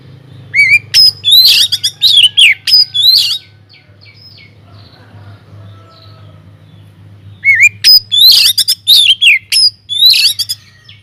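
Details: Aviary-kept white-rumped shama singing energetically as a lure for other birds: dense clusters of sharp whistles and chattering notes, a quiet gap of several seconds, then another burst of rapid phrases, with constant low hum.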